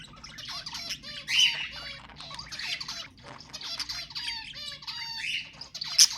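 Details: Budgerigars chattering to encourage breeding, a continuous stream of rapid, scratchy warbles, squeaks and short rising whistles with frequent harsh notes, evenly busy throughout over a faint low hum.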